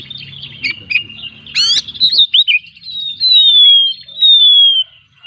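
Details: Oriental magpie-robin with a full 'gacor full isian' song: chattering whistles and a harsh rasping burst give way to two long, clear, slowly falling whistled notes drawn out for about a second each.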